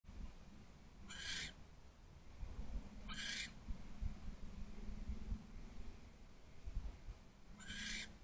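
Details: Wild barn owl at a nest box perch, 15 January 2024 at 10:48 pm; three short harsh hissing screeches spaced a few seconds apart over a low background rumble.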